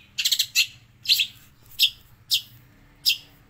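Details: Long-tailed shrike singing with mimicry of sparrow and prinia: short bursts of bright, high chirps in five separate phrases, the first a quick stuttered cluster, spaced about half a second to a second apart over a quiet, faint low hum.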